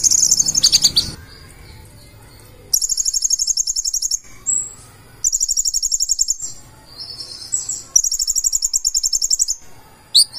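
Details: Purple-throated sunbird pouring out its 'gacor full isian' song: three long, fast, high buzzy trills of about one and a half seconds each, separated by quieter pauses, plus a short noisy opening burst.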